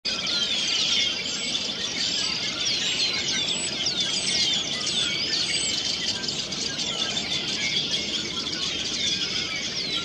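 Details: A dense chorus of red-winged blackbirds on Prairie Dog Rd, Sheridan, Wyoming, on 14 March 2020, gives overlapping sharp chips, whistles and squeaky trills from many birds at once, over a faint rural hiss.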